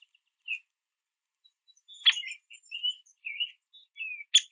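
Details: Male Downy Woodpecker visiting a backyard feeder for sunflower seeds gives sharp percussive chips. Soft, thin chirps and short whistled notes are scattered between them over a few seconds.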